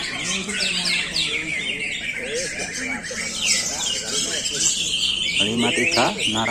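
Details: Cucak ijo, the greater green leafbird, a source bird sold on to Bandung, singing a rapid, varied jumble of sweeping whistles, squeaks and chattering phrases, with people talking nearby and a burst of harsh notes near the end.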